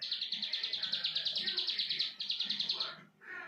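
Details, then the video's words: Ciblek sawah, the plain prinia, singing its 'brenn' song: a fast repeated string of high buzzy notes with a short break midway, ending abruptly after about three seconds, with faint low noise behind. "CIBLEK SAWAH BRENN 2 MENIT"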